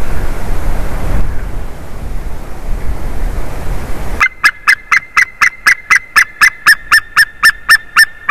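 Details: A White-tailed eagle at a favoured tree during a changeover, 30 March 2019, afternoon: roughly four seconds of rumbling wind-like noise, then a fast, even train of about fourteen loud yelping kli notes.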